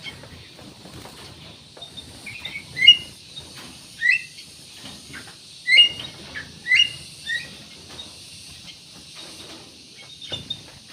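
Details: Black-naped oriole, a vigorously singing bird used as a lure to prompt other birds to sing: a few short whistled, slurred notes spaced one to two seconds apart, over a faint hiss and some soft background rustling.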